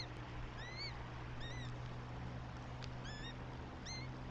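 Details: Eurasian goshawk chicks in their nest, Tartu, Estonia, 9 May 2025: four spaced, thin whistled notes, each a brief arching slur, about one per second, with a faint click and steady low hum behind.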